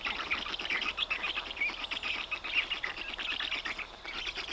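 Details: Black stork (Ciconia nigra) calls in Puszcza Notecka forest on 18 June 2021, likely young at a meal of big fish from the father: a dense, continuous chatter of high, wheezy squeaking notes in quick overlapping bursts.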